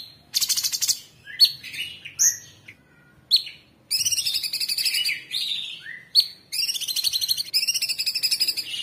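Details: Cucak cungkok, or Orange-bellied Leafbird, on a master recording for training cage birds: bursts of sharp, slurred high whistles, then long rapid rattling trills, loud and clear throughout.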